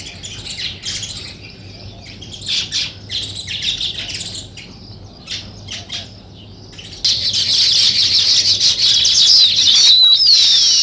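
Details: Several bursts of scratchy high chirps from weaver birds building a nest, separated by quiet gaps, then a loud continuous buzzy chorus with thin whistled slides through the last few seconds.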